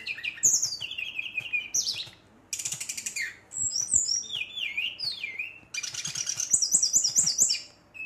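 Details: Provoking rivals, a Brown-chested jungle flycatcher pours out a vigorous song: fast high trills, harsh buzzy rattles and descending whistled runs in quick succession.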